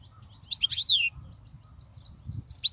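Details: European goldfinch song used to train young goldfinches: a loud jumbled phrase of high twitters with a falling buzzy slur, a quiet gap of thin faint notes, then two sharp chirps.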